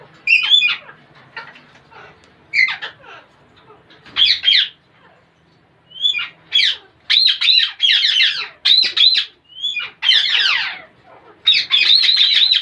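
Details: Parrot making weird sounds: scattered harsh squawks and clicks at first, then repeated loud bursts of buzzy, rasping chatter, each about half a second long.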